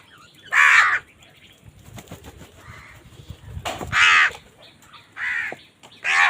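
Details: Crows fighting for food, calling loudly: harsh, raspy caws about a second apart, each a broad noisy burst, with quieter rustling and faint background sounds between them.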